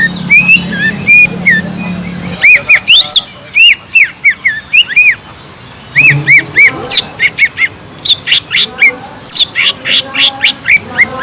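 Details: Sumatran leafbird in lively gacor song, used to stir up less eager birds: bursts of arched whistled notes and sharp chips in quick runs separated by short pauses, with a low hum early on.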